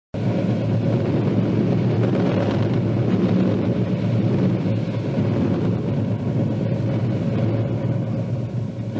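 A steady low engine rumble like a passing vehicle fills the whole recording, with no animal calls audible.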